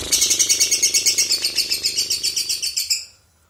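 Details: Lovebird song in the konslet style with walang filling: fast, high, buzzy trill of rapid repeated chirps, about five pulses a second, steady for nearly three seconds before fading out.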